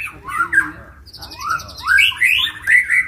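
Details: White-rumped shama in a fight, stirred up to sing: loud, fast, varied phrases of slurred whistles sweeping up and down, some buzzy overtoned notes, rising toward the end in bright, emphatic bursts.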